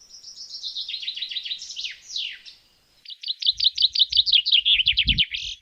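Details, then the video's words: Male common chaffinch song, used to mark territory and attract females: a rapid descending run of bright chirping notes, a brief pause, then a second fast accelerating series ending in an emphatic flourish, with faint low thumps beneath. "Aún así, el canto es fácilmente reconocible, ya que suele terminar con un característico y enfático floreo."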